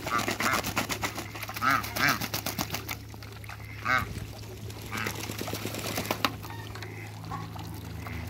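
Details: African geese in backyard water alongside Muscovy ducks: a run of nasal, harmonic honks repeated roughly every half second for the first four seconds, then a few scattered calls, with splashing clicks and a steady low electrical hum.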